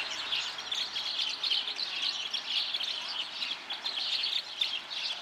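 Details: Red crossbills calling: continuous high, clipped chips and tweets crowding over one another without pause, suggesting a busy group of birds, against a quiet background.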